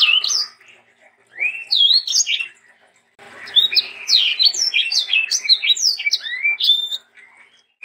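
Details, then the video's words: Sanger singing energetically as tutor song for training young sangers: short whistled phrases, then a long, rapid string of sharp, slurred chirps that falls quiet just before the end. "BURUNG sanger gacor untuk masteran dan pancingan sanger muda"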